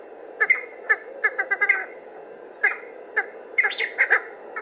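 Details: A Cheer pheasant (Catreus wallichii) calls as it comes out of cover, giving harsh, squawking notes in quick irregular bursts, some doubled or tripled, over a steady low rushing background.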